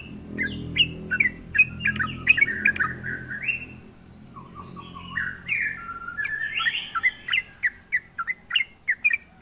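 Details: Yellow-vented bulbul with energetic taunting song aimed at rivals: jumbled bubbly chirps and warbled phrases, a few lower descending notes, then crisp repeated chirps, with low rumbling noise early on and a steady high hum.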